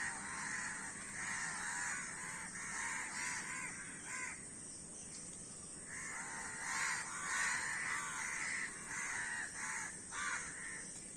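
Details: A flock of crows gives rough, grating caws in bursts, a lull near the middle, then a denser run of overlapping calls; a faint background hum is present.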